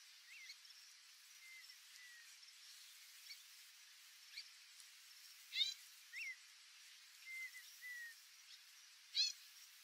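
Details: White-faced whistling ducks in the Pantanal give faint, thin whistled notes, some rising and some slurring down, in small groups; two sharper, louder chirps cut through a steady background hiss.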